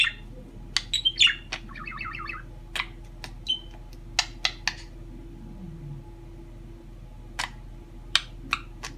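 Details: A chatty bird uttering a short burst of chattering warbles, then scattered sharp clicky chirps and squawks with pauses, over a steady low room hum.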